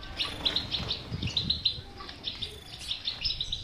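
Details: European goldfinch in a cage singing, offered as a remedy for a goldfinch that will not sing; clear high tinkling notes in quick runs, separated by brief pauses, with soft low background noise.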